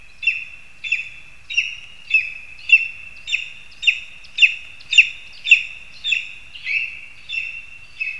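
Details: Insistent run of about fourteen high, ringing yelps from lesser spotted eagles in a spruce in Zemgale, Latvia, August 2021, delivered under two per second, swelling louder in the middle.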